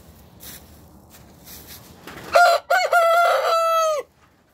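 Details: A rooster crowing in the morning: after quiet background clucks, one loud, harsh crow with a short opening note, a brief break, then a long held, even-pitched final note lasting about a second.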